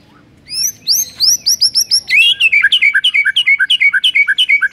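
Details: Training master song of a white-rumped shama: a few drawn high notes, then fast repeated chirps, roughly three each second, steady and loud to the end.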